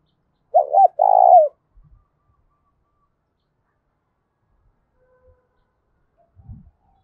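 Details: Spotted dove challenge call meant to provoke a fight, loud and echoing: one phrase of a stuttered two-part opening and a sustained low coo, followed by several seconds of near silence with faint soft knocks.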